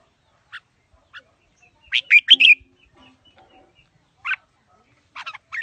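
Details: Red-whiskered bulbul, a fighting bird with a wild-type voice, giving isolated chirps and then a loud burst of three rich whistled notes, followed by further short phrases after a pause.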